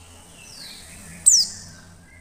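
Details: Female Oriental white-eye calling to lure other white-eyes into song: a faint high descending note, then one loud, brief, steeply falling thin whistle, with soft low hum in the background.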